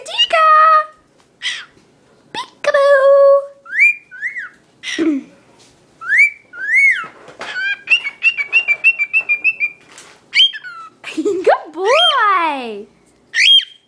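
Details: Year-old male pet cockatiel singing and talking to a tissue, saying peek-a-boo: a varied run of whistled phrases, including rising slurred notes, a fast rippling trill and lower speech-like sounds, ending in sweeping whistles.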